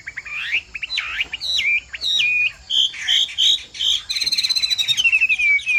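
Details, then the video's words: Chinese hwamei, 'bộ tam hoàng' type, sings clear whistled phrases with stepped, dropping notes and paired swoops. It closes with a rapid trill sliding gently downward. "Hoạ Mi Bộ Tam Hoàng Giọng Hót Rả Rích Như Tiếng Mưa Nghe Thư Giãn/ Tiếng chim hoạ mi hót giọng hay"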